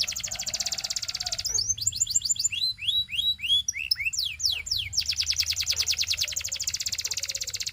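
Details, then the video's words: Belgian canary in full song, inviting other canaries to join: a long buzzing trill, a jumble of quick swept whistles, then a lengthy rapid trill repeated many times per second. "The Singing Canary Tempts All Canaries to Sing - Belgian Canary Singing"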